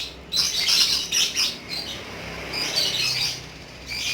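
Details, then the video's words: Lovebird ngekek song: continuous shrill, scratchy chattering, fast and unbroken, rising in loud clusters over a faint low background hum. "BURUNG LOVEBIRD TERAPI PANJANG UMUR ‼️GACHOR NGEKEK BIKIN ADEM"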